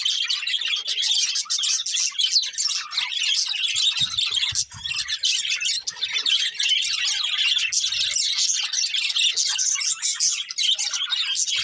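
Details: Colourful budgerigars kept as a breeding pair, giving a dense, unbroken stream of high, scratchy chirps and warbled chatter that runs the whole time with hardly a pause.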